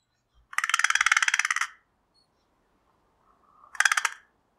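American Crow giving two harsh, grating caws, the first drawn out over about a second, the second shorter, in an otherwise quiet setting.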